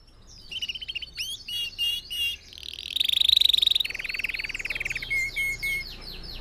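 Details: Red factor canary singing, used to train other birds to sing: varied chirps and slurred notes, a loud buzzy trill, then a lower rolling trill and a few short whistled notes.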